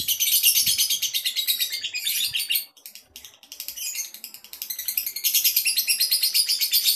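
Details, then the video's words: Lovebird male in contest condition giving an extended shrill twittering song of fast repeated pulses, briefly breaking off in the middle before resuming strongly. "CARA Mengetahui LOVEBIRD Jantan siap LOMBA??"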